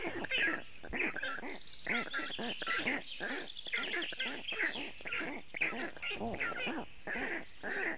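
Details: Several black stork nestlings in Latvia, recorded by a nest webcam on a hot afternoon in June 2018, calling for cooling: loud, harsh, harmonic yelps repeated quickly in irregular bursts, some calls louder than others.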